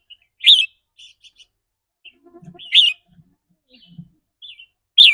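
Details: Red-whiskered bulbul 'rik rua' song, rapid trilling that varies with the bird's mood: three loud rich whistled phrases roughly two seconds apart, with soft chirps and faint low sounds between.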